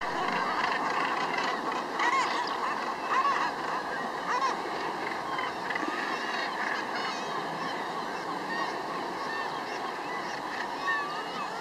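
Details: A dense chorus of harsh, grating Northern gannet calls from many birds at once at the Troup Head breeding colony in Scotland, UK, overlapping continuously with no clear rhythm.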